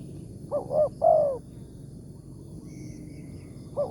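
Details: Wild spotted dove with a big 'tarik akar' voice, pursued with a decoy in the morning. One phrase of two short notes and a long coo, then quiet with a faint short note at the end.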